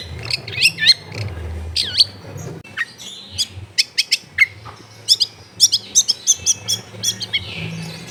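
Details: Long-tailed shrike training song recorded at home in a densely populated neighbourhood, meant to prompt a silent bird to sing: rapid series of sharp high chirps and swooping whistles, with faint low background rumble.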